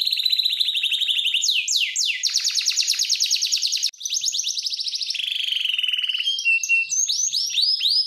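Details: Canary singing a training song, with long fast rattling trills, upward-swept whistles and a lower rolling tour, separated by a brief pause and ending in repeated rising notes.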